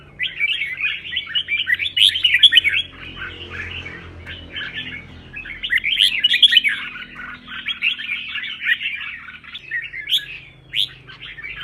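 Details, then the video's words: Red-whiskered bulbul singing a fired-up competition-style song for training. Bursts of rich, warbling, whistled phrases alternate with quieter stretches. The phrases are repeated in waves, each a few seconds long, and the bird is heard close. "CHÀO MÀO | Luyện chim hót hay hót đấu - thúc bổi căng lửa"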